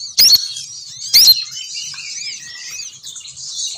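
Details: Lure recording of a female sogon bird to bring males down: two loud sharp chirped bursts near the start, then a steady wash of soft high twittering and warbled notes.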